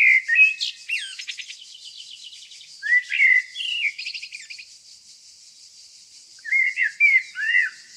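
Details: Nightingale song among the evergreen forests of Tonekabon in Mazandaran, northern Iran. Varied whistled phrases with short rising and falling notes and a buzzy trill come in separate bursts, with a high hiss running behind.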